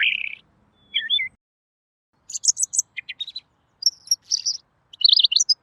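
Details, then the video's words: Pekin robin song, clear-voiced, for tutoring other birds: a burst of high chirping, then a whistled slur, a pause, and quick clusters of bright twittering notes and short trills toward the end. "masteran burung Robin!! suaranya jernih"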